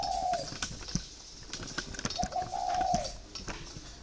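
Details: Spotted dove in its cage of four years ending one coo, then giving a full phrase, a soft lead note and a drawn-out hollow tone, amid frequent tapping noises.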